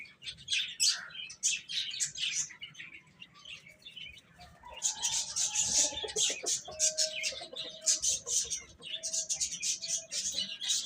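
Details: Chicks feeding and playing together, giving continuous bursts of shrill high peeps in quick succession, with a brief lower tonal note in the middle and light tapping sounds throughout.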